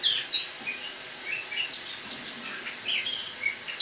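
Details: Autumn song of a caged Eurasian blackcap indoors, October morning: quieter, scattered high chirps and short warbled notes with gaps between them.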